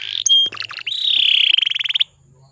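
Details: Female canary kept as a lure bird, whose voice is used to rouse males into singing; a few sharp high chirps and a rising swept note lead into a fast, even trill of rapid repeated notes lasting about a second.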